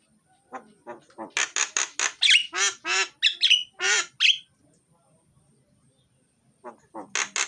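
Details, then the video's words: Energetic myna (jalak) song, full and loud, suited to coaxing silent mynas: dense rapid volleys of scratchy, grating notes mixed with whistled twangs, a pause, then the chattering resumes. "suara jalak gacor,isian dan keras, cocok buat pancingan jalak yang malas bunyi."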